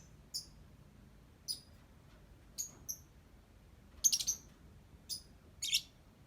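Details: Singing lovebird giving irregular shrill high chirps and short buzzy twitters, roughly one every second, with a denser scratchy cluster near the end.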